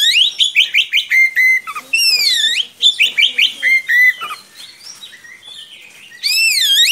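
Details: Oriental magpie-robin singing at length as a tutor for young magpie-robins: a run of quick stacked whistled notes, sweeping U-shaped whistles, a brief lull, then another swooping phrase.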